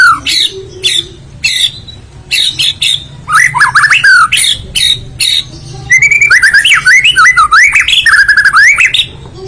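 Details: Loud, varied song of a white-rumped shama, a territorial songbird: clipped phrases of mixed whistles and harsh notes, then a long fluent stretch of rapid, twisting melodic whistles.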